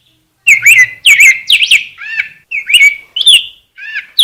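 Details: Rose-breasted grosbeak pouring out a fluid, continuous run of sweet whistled and warbled notes, with up-and-down inflections and hardly any pause.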